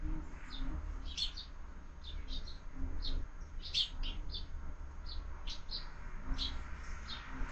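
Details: Several sparrows at a window-mounted feeder at breakfast time give short, bright chirps in loose, overlapping bursts over a steady low rumble of background noise.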